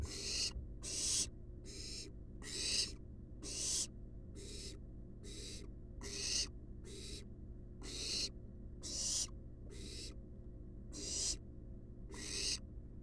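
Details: Wild barn owl family, nestlings resting in a nest box: a long run of about thirteen short breathy hisses, roughly one per second, over a low electrical-sounding hum.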